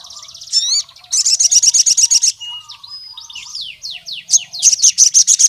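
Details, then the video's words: Sunbird in lively wild-style voice, calling a rival male: a rising whistled flourish, then a fast train of sharp high ticking notes, jumbled chirps and downward slurred notes, and another fast high ticking burst. "SUARA BURUNG SOGON NGALAS GACOR MEMANGGIL LAWAN JANTAN"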